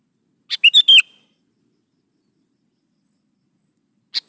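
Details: Sooty-headed bulbul song played to lure young birds into singing back: one quick phrase of four bright, clipped whistled notes, then a long silence and the start of another phrase.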